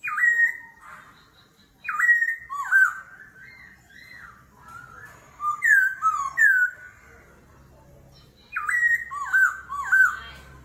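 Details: Forest-voice duel song of a laughingthrush with continuous voice changes in the water-pipe-drag style: phrases of upswept whistles and dipping slurs in bursts every two to three seconds, with faint low hum between them.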